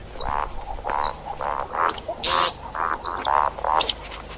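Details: See-see partridge, a call recording for hunting: evenly spaced, buzzy mid-pitched notes about every third of a second, with one loud harsh squeal in the middle.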